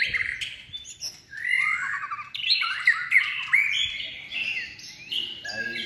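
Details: A White-rumped shama trained for singing competitions, in its third season, sings a rich, varied stream of clear whistles, slurred notes and quick chattering phrases, shifting pitch almost continuously with barely a pause.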